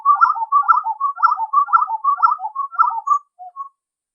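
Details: Spot-winged wood quail song recorded in Serra dos Órgãos National Park, Teresópolis: mellow whistled phrases of three or four notes, repeated about twice a second in a bouncing rhythm, ending with two lone soft notes and silence.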